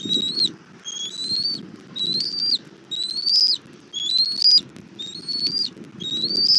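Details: Bald eagle mother bringing a little food to her chick at a Southwest Florida nest, 17:30, 1 April 2024: a steady series of seven high whistled calls, each gently rising and ending abruptly, spaced under a second apart over a low rumble.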